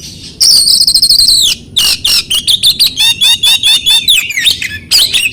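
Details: Oriental magpie-robin song for stirring silent birds: a loud high trilled whistle, then a rapid series of repeated sharp, slurred notes about four per second, bright and piercing.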